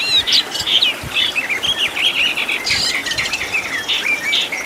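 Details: Oriental magpie-robin tutoring song with 'tembakan' fill: soft continuous warble of slurred whistles and scratchy notes, with a few harsher buzzy bursts, over steady background hiss.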